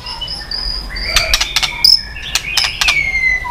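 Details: White-rumped shama flicking its tail, a recording used to rouse other shamas into fast singing; steady high whistled tones with sharp clicking bursts, then a bright rising note near the middle and a falling whistle at the end.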